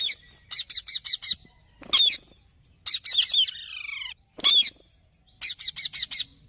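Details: Bursts of four or five grating squawks from a green parrot, mixed with single loud screeches and a short run of descending scratchy notes, with silent gaps between phrases.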